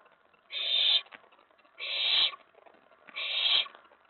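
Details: Nest-box owlet at night, 19 May 2017, excited by an owl arriving at the tray; three rough, breathy screeches, each about half a second, spaced more than a second apart over a quiet background.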